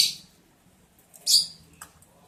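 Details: Lovebirds recorded while mating on 11 July 2022, the eleventh day of their breeding progress. A sharp, piercing high chirp opens, then a louder shrill squeak follows a second later, trailed by a brief faint note over quiet background.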